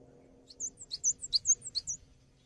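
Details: Cinereous tit singing, offered as tutor audio for songbirds: a soft, short string of high whistled notes alternating rising and flat tones, over a low background hum.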